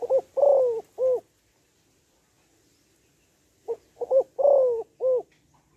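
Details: A female spotted dove gives calls meant to stimulate males, in the gáy gọi, thúc and gù styles. Two phrases: quick stuttering notes, a sustained downward coo, a final short note, with a silent pause between them.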